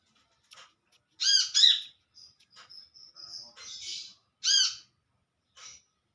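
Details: Olive-backed sunbird calling to companions in the wild: a harsh double note, then a thin high whistled run and a buzzy rasp, ending with one more nasal arched call and a faint chip.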